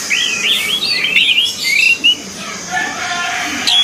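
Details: Orange-headed thrush used as a training recording for singing birds. A quick run of looping, warbled whistles at the start, then thinner drawn-out notes and a brief sharp closing whistle.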